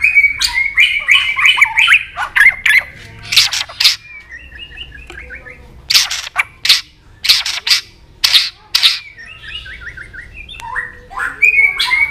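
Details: White-rumped shama singing competitively when provoked, mixing rich whistled trills with loud explosive clicking notes spaced about a second apart, then returning to warbled phrases.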